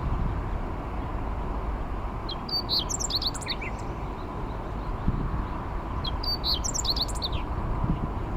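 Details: Meadow bunting song along a riverside levee, 29 May 2021, heard during a bicycle ride: two similar brisk phrases of high, tinkling chirps and slurred notes about four seconds apart, against a steady low rumble of background noise.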